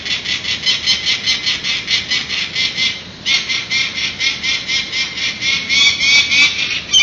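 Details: Adult peregrine falcons at a San Francisco ledge nest with three banded youngsters, late morning of April 19, 2018, on a live webcam, parents taking off and landing; loud grating cack notes in a rapid regular series, brief pause midway, then resuming.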